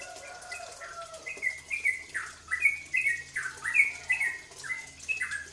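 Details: Cucak ropel bulbul lure song for provoking other birds to sing, building from soft notes into rapid, loud falling whistles at about two per second.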